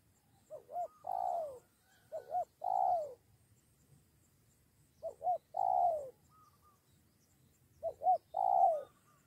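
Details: Spotted dove lured by a decoy bird, ready to fight: three phrases of two short coos then a longer falling coo, separated by pauses of about two seconds, with faint insect buzz in the background.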